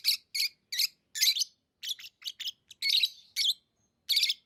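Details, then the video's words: Pet lovebirds giving a steady series of sharp, raspy high chirps, about two or three per second, each short and broadband, with brief gaps between them. "Love birds Sounds | lovebirds chirping sounds"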